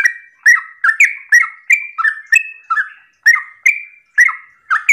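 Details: Yellow-vented bulbul in energetic morning 'ropel' song, played to draw replies from other bulbuls; bubbling two-part chirps run in a fast, slightly irregular stream with a short pause near the middle.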